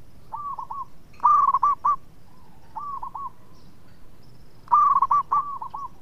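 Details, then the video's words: Local zebra dove singing sweetly as a caller that sets others off; short groups of hooked cooing notes, some soft and some loud and bubbling, separated by brief pauses. "PERKUTUT LOKAL GACOR SUARA MERDU TUKANG PENGUNDANG BUNYI"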